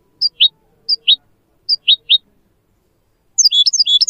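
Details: Goldfinch tutoring song for mules and canaries: paired high chirps, each falling slightly, spaced by short pauses, then after a gap a sudden quick twittering burst of clustered notes.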